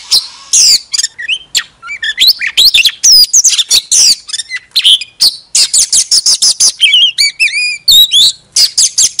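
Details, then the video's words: Oriental magpie-robin serving as a decoy bird, singing with a fanned tail: continuous chattering and whistled phrases, fast repeated chips, and a sequence of sweet rising whistled notes near the end. "Chòe than hót xòe II chòe than mồi"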